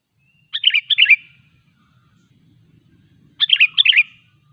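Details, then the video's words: Kutilang, the sooty-headed bulbul, singing as a lure for other bulbuls: two bright, bubbling phrases of four or five fluty notes, nearly three seconds apart, against quiet background. "Suara Burung KUTILANG GACOR 100% ampuh untuk memancing Kutilang lain agar bunyi"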